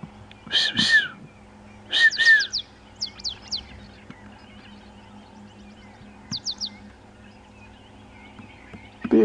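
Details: An African pied wagtail runs along the edge of a waterhole on a sunrise safari drive, 7 September 2015. It calls in short bursts of sharp, high, down-slurred chirps, three or four at a time. A man speaks quietly over an engine hum.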